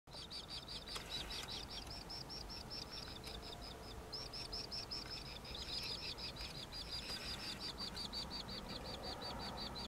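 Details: Several Forster's Terns south of Regina, Saskatchewan, Canada, on 5 August 2013 give harsh, buzzy, overlapping calls, nearly three per second and almost continuous, over a low rumble of wind.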